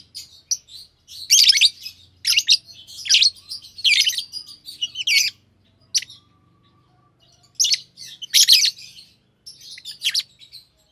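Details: Pair of green Fischer's lovebirds in captivity singing, a mutation-free green colour form: rapid series of harsh, buzzy chattering bursts with scattered sharp chirps, nearly continuous for several seconds, then a pause and more chatter.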